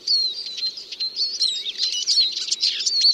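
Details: Short stretch of Eurasian siskin song, thin whistled notes wavering among quick high twitters and chirps.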